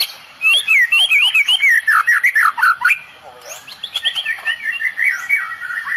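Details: Medan white-rumped shama delivering 'tembakan' song bursts in the cililin style, used to make rivals back down. Loud warbled, twisting whistled phrases are broken by brief pauses, then a second, softer run of varied chattering notes.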